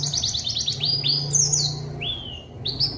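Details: White-eye singing, used to lure a rival and make silent birds sing: varied rapid twittering leads into longer clear slurred whistles, some falling and some rising, over a noticeable low droning hum.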